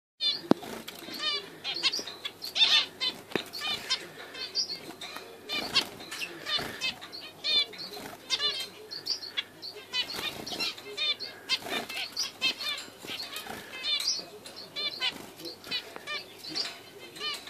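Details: Captive Zebra finches, including a first fledgling from a Pied cock and a Charcoal hen, give rapid nasal beeps and chirps overlapping with fluttering wingbeats.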